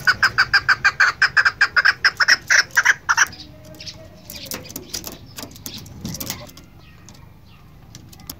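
A female chukar gives a quick series of about sixteen harsh, clucking notes over three seconds, then falls silent, leaving faint scattered clicks and background noise.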